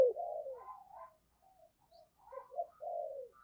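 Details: Captive decoy spotted dove cooing to attract wild doves, thúc and gáy calls: a long falling coo, wavering softer notes, then a rising pair of short notes and another drawn-out coo.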